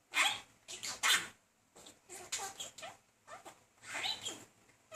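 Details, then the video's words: Male talking budgerigar courting a female, persistently chatting her up without much success; short bursts of scratchy, buzzy warbling broken by brief pauses, with bright high clicks and squeaks. "Talking Budgie"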